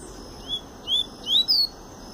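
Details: Double-collared seedeater singing pure tui-tui style song while coming out of molt: four clear, high whistled notes, each slurred upward, the last ones louder and rising higher, spaced about a third of a second apart.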